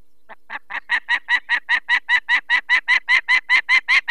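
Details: Harsh repeated cacking from a nesting female peregrine falcon in Poland's Barycz Valley, 2 May 2023, raising alarm while a sick chick is taken from the nest; loud, evenly spaced notes about two and a half per second, growing stronger.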